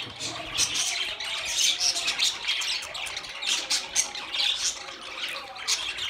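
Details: Budgerigars chatter in a steady stream of scratchy, high-pitched squawks and chirps, bursts coming every fraction of a second as many birds call at once.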